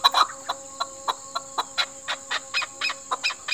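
A chukar gives a quick run of dry, clucking chuk notes, about three a second, over a faint steady hum.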